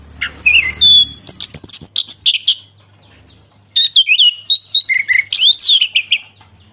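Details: Orange-headed thrush in full varied song, recorded as a lure to get a silent kept bird singing again: whistled slurs mixed with rapid scratchy chatter, a short pause, then more looping whistles and sharp high notes; faint low hum.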